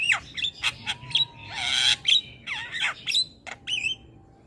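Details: Javan myna chattering in 'gacor' style: sharp downslurred whistles and short warbles around a long harsh hissing rasp, then a rising whistled note and a thin sustained tone.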